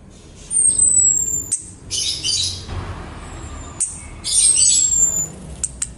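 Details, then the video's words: Female orange-headed thrush calling to a male, used as a lure to make males sing: thin, high whistles slurring downward, given twice about four seconds apart, with bursts of rustling noise and clicks between them. "Pancingan anis kembang betina memanggil jantan agar cepat bunyi"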